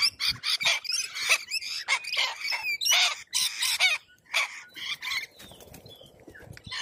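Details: Wild corella cockatoos in Australia: a rapid series of harsh, raspy screeches in loud bursts, several overlapping, tapering off to softer scattered notes near the end.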